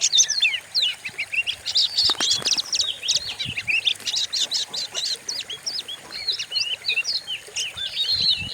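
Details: White-rumped shama song for training other songbirds, called aggressive: energetic run of clipped chirps and upslurred whistles, with noticeable low background rumble and noise.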